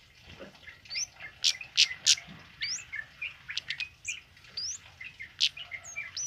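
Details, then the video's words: Energetic song of a tame male kemade, used to tutor other birds: loud sharp high notes in a fast run around two seconds, then rapid chirps and short rising whistles. "Suara Burung Kemade Jantan Jinak Gacor Ngalas Buat Masteran"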